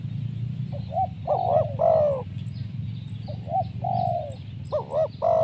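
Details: Spotted dove call, described as a 'mersik' voice, used for luring wild doves. Two or three short hollow coos lead into a longer falling note, with the phrase starting again, over a faint low rumble.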